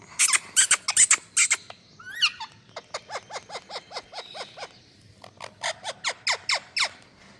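A rose-ringed parakeet gives a burst of harsh, high screeches, then a quick run of about a dozen short rising squeaks, and ends with more shrill notes.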